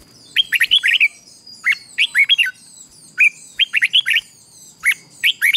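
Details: Red-whiskered bulbul singing a morning training song meant to provoke wild-caught birds into combative singing; clear, lilting whistled phrases of four to five quick notes, repeated about every second and a half.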